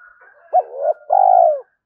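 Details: Spotted dove in thúc calling to lure wild doves: one loud phrase, a short rising note that slides into a mellow coo, then a longer, steady coo that falls away at the end.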